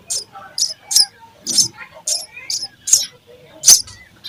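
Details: Sparrow chicks being fed in the nest give short, sharp, high chirps, repeated about every half second, with faint lower twittering underneath.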